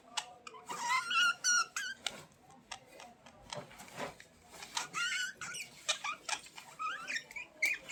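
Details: Budgerigars in dense, fast warbling chatter: twisting whistled notes, clicks and buzzy fragments tumbling over one another in quick succession.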